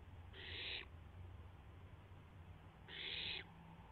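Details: Barn owl owlet testing its wings after midnight on April 12, 2016: two loud, drawn-out hissing screeches, each about half a second long and roughly two seconds apart, against quiet background noise.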